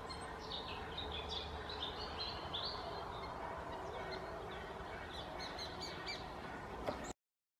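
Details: Lesser spotted woodpecker in Asker in April 2016, drumming and calling: thin, high, repeated notes in loose series over a steady background hiss, with a few faint taps near the end.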